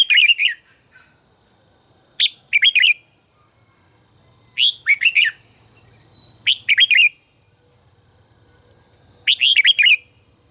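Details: Red-whiskered bulbul, a bird whose voice is being trained, singing short bright warbled phrases that drop in pitch, given in bursts of two or three notes repeated every two to three seconds, with quiet gaps between.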